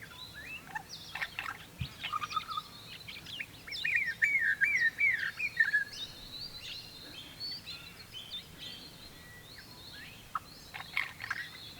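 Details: A spiny-cheeked honeyeater in the Lindsay and Mulcra Island area of north-west Victoria, Australia, tries to break into song. It gives a short run of bubbling, liquid, rising and falling notes with sharp chips and scratchy calls over a soft hiss.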